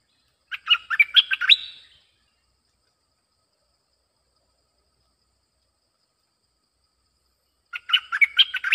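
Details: Lure recording of a bulbul singing to attract wild birds: a quick, liquid chattering phrase of jumping warbled notes, then several seconds of silence before the same bubbly phrase starts again.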